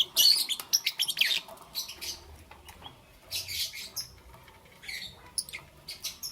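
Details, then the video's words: Lovebird chirping in the morning, a loud opening volley of piercing squeaky chirps, then softer scattered chatter. "Lovebirds Chirping Sounds"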